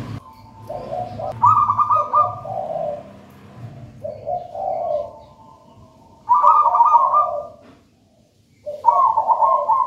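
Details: Zebra dove, wild-caught from a plantain nest, cooing steadily: rolling purred coos in repeated phrases, each opening with a higher trill and trailing into lower soft notes, with a brief silent gap.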